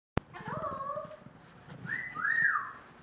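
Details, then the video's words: Pet parrot, female, in a portable cage, imitating a cat: a drawn-out, nasal, meow-like tone, then a higher whistled glide rising and falling near the end. "Parrot meowing in portable cage"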